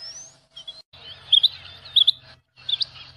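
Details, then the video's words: Rain quail song: sharp, high, doubled notes repeated about every half second, with a faint rising whistle early on and a low pulsing hum underneath. "เสียงนกคุ่มอกดำ,Rain Quail Song"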